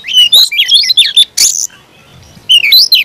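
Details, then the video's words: Caged Oriental magpie-robin singing an aggressive fighting song: a fast run of whistled slurs, a harsh rasp, a second of near silence, then renewed descending whistles. "kacer gacor tarung ngotot agresivitas"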